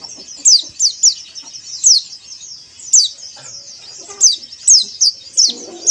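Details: Song of white-eyes used to stimulate caged birds: sharp, high downward-sweeping whistles repeated irregularly, roughly one or two each second, over a quiet background with soft low clicks.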